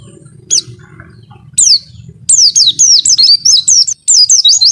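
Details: Pleci, a white-eye, singing its long 'wit-witttt' phrase for training captive songbirds. Two isolated high falling whistles come first, then a busy burst of rapid, twisting chirps and slurred notes fills the last two seconds over a soft low drone.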